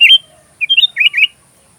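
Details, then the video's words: Sooty-headed bulbul song, used as filler material for training magpie robins: a short bubbly phrase of quick slurred whistled notes, one opening note then a rapid burst of four or five warbling notes. "MP3 suara kutilang isian Kacer"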